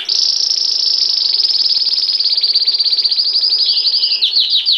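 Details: Belgian canary in continuous powerful song, a long high rapid trill that gradually slows and breaks into sweeping downward notes at the end.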